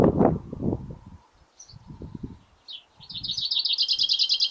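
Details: Male chaffinch singing in a garden in early spring: low thumping and rustling noises first, then a bright, rapid rattling trill of high repeated notes that runs on toward the end.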